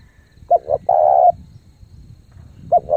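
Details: Lure spotted dove in thúc gù cooing: two clipped notes lead into a held coo, then the next phrase begins, all over faint low-pitched background noise.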